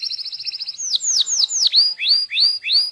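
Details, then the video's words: Local canary in training song: a quick, even trill of high notes, then loud downslurred swoops and repeated looping whistled notes, about three per second. "MASTEAN KENARI LOKAL GACOR | FULL ISIAN | MASTERAN BURUNG KENARI"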